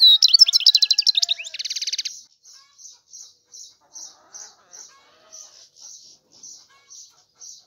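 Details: European goldfinch singing: a fast twittering phrase ending in a buzzy trill, followed by short, high, clipped notes repeated about three times a second.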